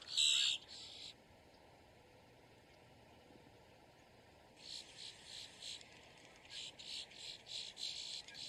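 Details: Boat-tailed grackle calling in distress or alarm: one loud harsh burst and a shorter one, a pause of several seconds, then a rapid series of about eight scratchy, high bursts, in a quiet setting.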